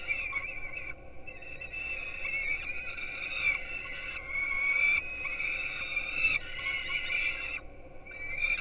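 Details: Peregrine falcon chicks at a nest in Gdynia, Poland, recorded by live camera at 4:21 am on 5-11-16 as they are fed breakfast. They make persistent, high-pitched, harmonic wailing calls in long overlapping stretches broken by short pauses, over low hum.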